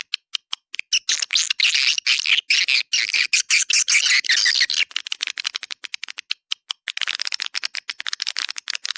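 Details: Swiftlet lure sound, 'Dua Bidadari' type, played to pull swiftlets into a central swiftlet area: a few spaced clicks open into a dense, shrill chattering twitter, easing into scattered ticks before a final burst.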